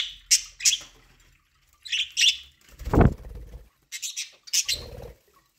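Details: Budgerigars eating corn give short paired chirps at intervals, interrupted by one loud rustling thump in the middle.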